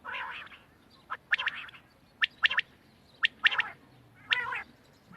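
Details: Quail on 31 March 2024: nasal, buzzy blurred notes mixed with short sharp clicks grouped in pairs and triplets, recurring roughly every second against quiet background noise.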